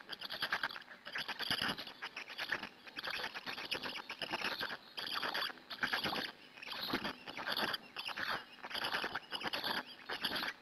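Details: Black stork nest in Hungary, afternoon of 2 May 2017, adult feeding the chicks, live nest camera; steady series of rough, crackling chatter bursts roughly every second, each rapidly pulsed and hissy.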